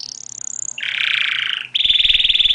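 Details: Canary singing: a high whistled glide, then a dense buzzy trill lower down, then a fast rattling trill of rapid repeated notes, with faint clicks underneath.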